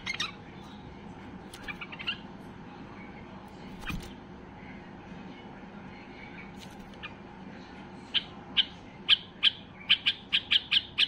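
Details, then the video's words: Highly excited white-eared bulbul (Basra bulbul), singing to make other bulbuls sing: faint scattered notes at first, then a quickening run of sharp repeated chips during the last three seconds. "اقوى تغريد بلبل بصراوي لفتح البلابل القافلة"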